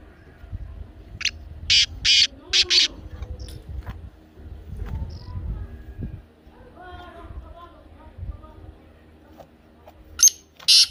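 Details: Black francolin calling, played so a pet francolin will start calling: four loud, rasping notes in a tight rhythm early on, a long stretch of faint background, then two more harsh notes near the end.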